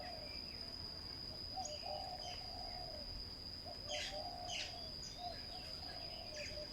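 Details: Spotted dove at a ground decoy trap, cooing in low, hollow phrases. Sharp high chirps and calls from other small birds break in several times over a constant insect whine.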